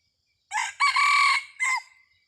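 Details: Red junglefowl crowing, a decoy bird used to lure wild junglefowl, 30 October 2023: one full harsh crow, a short opening note, a long strained middle phrase, then a brief falling final note, in quiet surroundings.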